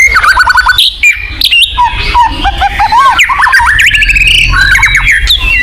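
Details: White-rumped shama song played to coax a kept bird to sing: dense run of looping whistled notes, quick trills and chattering bursts, continuous and loud.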